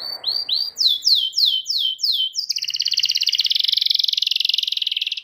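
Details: Canary song to teach young canaries to sing: a few rising chirps, a series of descending whistled slurs, then a long rapid buzzing trill.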